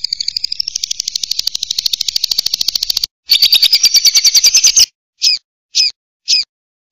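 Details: Lovebird sounds used to lure lovebirds: a long run of fast buzzy high pulses for three seconds, a short pause, a second louder pulsed burst, then three separate sharp high chirps; clean, with no background noise.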